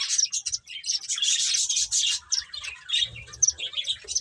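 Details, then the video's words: Eating finches chatter in rapid, high-pitched chirps, a thick burst in the first two seconds easing into scattered, bright tweets. "Cute Birds Chirping Sounds | Beautiful Finches Eating"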